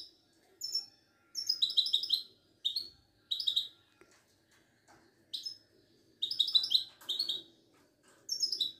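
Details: Lively twittering from a Wedani-type European goldfinch kept caged at a Casablanca bird market in Morocco: clustered chiming notes in quick bursts, separated by brief gaps, in a quiet setting.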